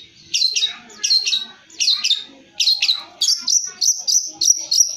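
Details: Long-tailed shrike song played to make a kept bird answer: high, sharp chirped notes in paired bursts, repeated roughly every half second, quickening toward the end, with faint low background sounds.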